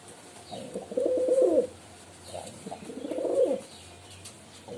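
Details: Pigeon cooing in two long, throaty warbling phrases about two seconds apart, low in pitch, background fairly quiet.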